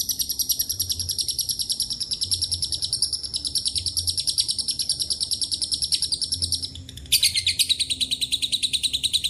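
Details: A lovebird's long ngekek, with Cililin and canary song mixed in. A fast, piercing chatter holds steady, dips briefly near seven seconds, then resumes slightly lower and louder.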